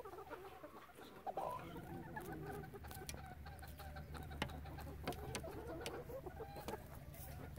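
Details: Chickens in a relaxed flock give soft, low clucks and murmurs scattered through the recording, with one brief louder squawk early on and a steady low hum behind.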